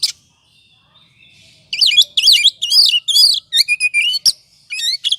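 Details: Oriental magpie-robin song used as a lure to provoke other birds into singing: after a quiet start, bursts of rich, rapidly warbled high notes and sweeping slurred whistles, then sharp repeated chirps and buzzy trills.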